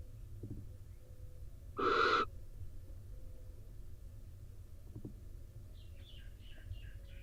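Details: Wet from the rain, a male barn owl returns to the nest box in Israel to join the incubating female. A single rasping, breathy screech of about half a second sounds against a low hum, followed by faint soft chirps, heard on a nest camera.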